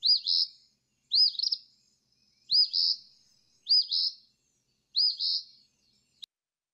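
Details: Eastern Phoebe, a gray bird also found in urban settings, gives five raspy, high, burry two-part "fee-bee" phrases, about one every 1.2 seconds, saying its own name; otherwise quiet.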